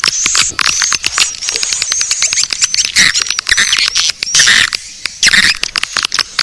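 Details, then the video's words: Swiftlet lure sound in the 'Naga Birahi' style for drawing swiftlets: an almost continuous rattle of sharp clicks under high, thin sustained whistles, occasional buzzy chirps, loudness rising and falling in uneven waves. "Suara panggil burung walet"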